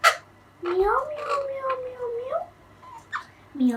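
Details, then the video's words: Young Alexandrine parakeet, two and a half months old, a pet learning to talk. A long wavering whistled note rises and falls, with short harsh chirps before and after it indoors. "Baby Parrot Talking Learning time | Alexander Parrot"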